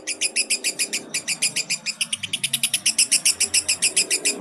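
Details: Long ngekek chatter from a fighter lovebird, used as a lure for baby lovebirds: a sustained stream of sharp, high, buzzy notes repeated steadily at a quick pace without a break.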